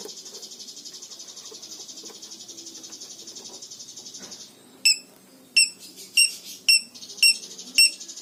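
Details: Lovebird minor song for training other lovebirds to sing: a steady buzzy trill fades out, then sharp, bright chirps ring out one by one, about once every half second to second, in a quiet setting.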